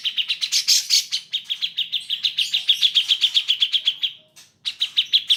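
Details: Grey-cheeked bulbul (cucak jenggot) bird-training track: a long, rapid string of high chattering chips that slides slightly lower, stops briefly, then resumes at the same quick pace.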